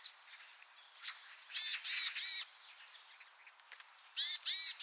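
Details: Varied tit in a backyard jujube tree in a rural area, foraging. It gives harsh, buzzy nasal calls in two bursts of three, each about a third of a second, with a couple of thin high notes between.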